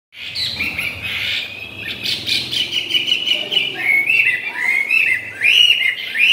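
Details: Tame caged Chinese hwamei singing while it eats and forages: a continuous, rich run of high, varied notes, with slurred phrases and quick upswept whistles building in loudness toward the end.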